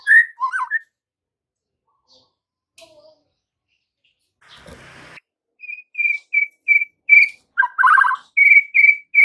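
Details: Lure song of a White-rumped shama, played in the afternoon so fledgling and juvenile shamas respond: an opening warbled phrase, a quiet gap with a brief rustle, then bright repeated whistled notes broken by a buzzy chatter.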